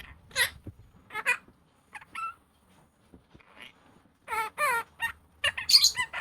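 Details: Pet opaline monk parakeet talking: several short word-like phrases with voiced, wavering tones, quiet pauses between them, ending in a burst of rapid squawky speech syllables over faint background hum.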